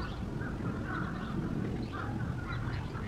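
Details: Spot-billed duck at the Kurome River or Sanpoji Pond, Japan, recorded between July and December 2023: a run of harsh, rasping quacks over steady low background rumble.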